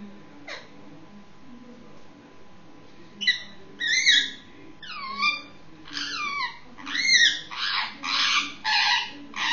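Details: A six-month-old Indian ringneck parakeet making noise before sleep gives a run of harsh, squawky calls, some dipping in pitch, about one a second and growing louder, over a faint indoor hum.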